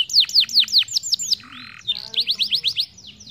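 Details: Canary rolling lure for young birds: quick descending whistled sweeps, a short harsh buzzy note, then further rapid rising and falling sweeps.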